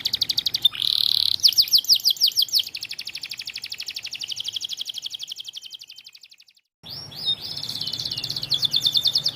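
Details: White canary in energetic song, delivering a rapid buzzy trill into long runs of fast repeated high notes that gradually fade, a brief pause, then another quick high trill resumes.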